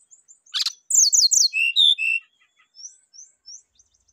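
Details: Rufous-chested flycatcher song, played as a lure and therapy to get birds singing quickly: a loud rattling burst, then a rapid run of high whistled and buzzy notes that step down in pitch, with soft high chirps after.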